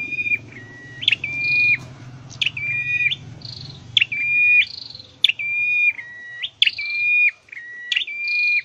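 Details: Trained caged scarlet-headed flowerpecker delivers a steady run of phrases, sharp chirp then long level whistle with a brief higher note, about every second and a half; low hum early on, quieter later.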